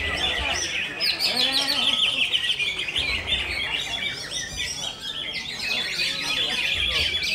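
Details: Konslet-style song of a greater green leafbird: fast, continuous high-pitched twittering and chattering with quick buzzy trills, scarcely pausing, over low background murmur and occasional low thumps.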